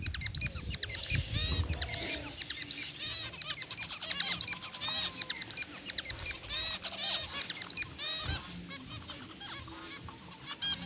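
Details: A group of white and gray zebra finches in an outdoor aviary keeps up a busy chorus of short, nasal, toy-trumpet beeps and chirps that overlap constantly, over a faint low rumble.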